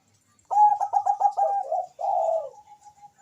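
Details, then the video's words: Zebra dove calling very fast: a rapid burst of about eight crisp staccato coos at steady pitch, then a fuller rolling coo fading into a thin trailing tone. "suara perkutut bangkok gacor memanggil sangat cepat di sahut lawan cocok untuk pancingan"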